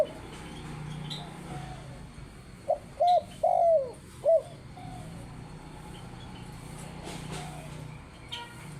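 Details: Spotted dove calling actively: a brief burst of four or five mellow coos packed into about two seconds midway, then quiet with steady low background noise and a few faint chirps.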